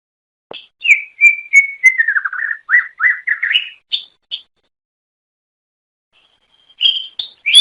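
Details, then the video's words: Greater green leafbird song used to lure others of its kind: a sharp opening note, then a run of clear descending whistles and slurred chirps, a pause, and a final burst of high whistled notes. "Suara Kicau Burung Cucak Ijo Durasi Panjang Untuk Memikat"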